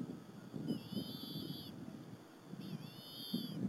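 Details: Two bald eagle eaglets eat squirrel with their mother at a Berry College nest on an April 2015 afternoon. Two drawn-out, high, piping whistles, the second slurring upward, sound over low rustling and thumping.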